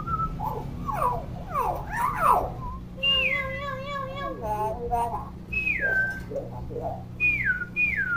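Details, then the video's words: Talkative, chatty pet common hill myna, kept as a model for young mynas learning to call: loud clear whistles sliding downward, several repeated in the second half, after a jumble of rapid chattering notes, with a low room hum. "BURUNG BEO GACOR & CEREWET"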